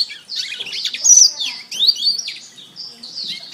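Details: Canary master song for training birds: dense high warbling with sweeping upslurs and downslurs and brief steady whistles, flowing without breaks.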